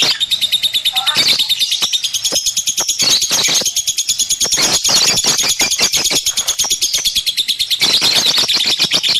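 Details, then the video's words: Caged lovebird in a steady chattering song: a long, fast, buzzy high trill pulsing throughout, studded with sharp clicks and occasional squeaks. "KiCAU BURUNG LOVEBIRD"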